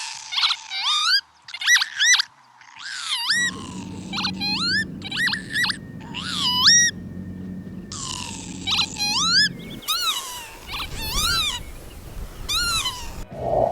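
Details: Northern Lapwing in breeding season, territorial and performing acrobatic display flights, giving squeaky, wheezy rising-and-falling 'pee-wit' notes in quick bursts like a dog's squeaky toy, over a low background hum.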